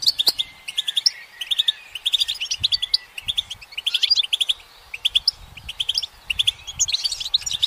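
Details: From a sunlit perch a goldfinch pours out a steady stream of rapid, tinkling high notes in short bursts, with clusters of quick chirps separated by brief gaps.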